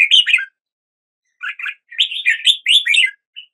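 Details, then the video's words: Song of a red-whiskered bulbul: a brief opening warble, a pause, then a tumbling run of bright, slurred chirping notes, clear and close. "Red whiskered Bulbul Song"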